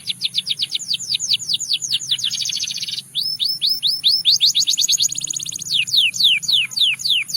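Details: Canary of Russian singing type giving long chains of swooping notes, speeding into a tight buzzing roll, then slowing to spaced, downward-sliding whistles.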